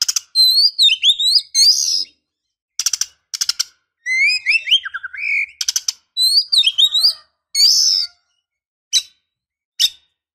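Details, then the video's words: A female white-rumped shama calls to stir a male: looping whistled phrases, rising slurs and rattling chatter bursts, ending in a few isolated sharp notes. "Pancingan kacer betina"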